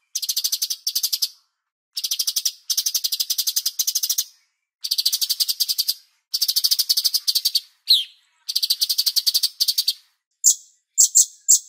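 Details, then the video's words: Master song of a cucak cungkok bulbul for songbird training: repeated short bursts of fast, high, buzzy ticking trills separated by brief gaps, with a sliding whistled note and a few separate sharp chirps near the end. "MASTER CUCAK CUNGKOK Jeda Terapi Air"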